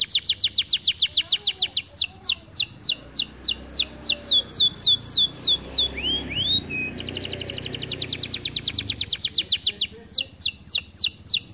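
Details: Energetic canary singing: long fast trills of clipped descending notes, a short pair of rising whistles midway, then more rapid trilling, with a faint low hum underneath.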